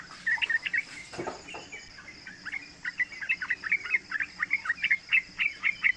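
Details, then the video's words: Three-month-old yellow-vented bulbul singing to teach and lure other young birds. After a brief knock, it gives a steady stream of short, warbled notes that rise and fall and repeat rapidly to the end. "Panggilan trucukan muda AMPUH buat Pancingan trucukan agar bunyi ropel"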